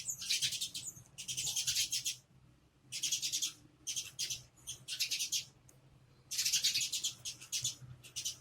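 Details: Sparrows making noise while searching for food: bursts of busy, high, scratchy chirping from several birds, each flurry lasting about a second, broken by short quiet pauses.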